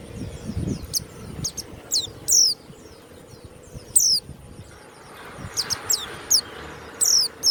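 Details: Caged warbling white-eye (pleci) kept as a songbird, giving bursts of high, sharp downslurred whistled notes separated by short pauses, over low rumbling background noise.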